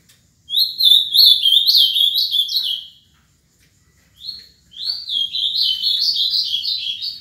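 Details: Ultramarine grosbeak, a seven-year-old cage bird from Paraná, sings two bright, high warbled phrases of sliding notes, each about two to three seconds, separated by a short pause.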